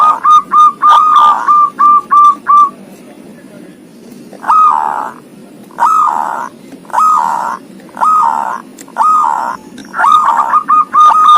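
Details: Zebra dove with thirteen tail feathers singing 'ngoar': quick, mellow trilled coos at the start and end, separated by spaced, rough rolling notes with a soft murmur behind.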